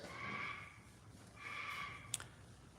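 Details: Parrots on a riverside farm in Tennessee give two drawn-out, nasal calls, each held steady at a middling pitch and about a second apart, followed by a sharp click over a low background hum.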